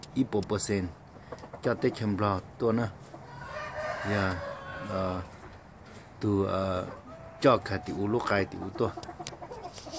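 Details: Female junglefowl in eclipse plumage giving bursts of harsh, low, harmonic clucking notes, several in quick succession and then spaced by pauses of one to two seconds, with faint background noise between calls.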